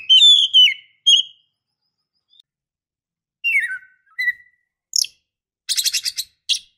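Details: White-rumped shama, female calling the male: scattered brief whistled slurs and downward notes separated by silences, ending with a rapid buzzy chattering burst and a short harsh note.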